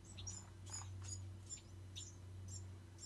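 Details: High, squeaky chips from Bewick's wren fledglings come roughly twice per second above a prominent continuous low droning hum.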